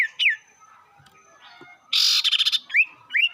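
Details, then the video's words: Sirtu lure call for stirring rival birds: single rising whistles around a loud, harsh, pulsing buzz lasting half a second. "pancingan burung sirtu bikin emosi lawan"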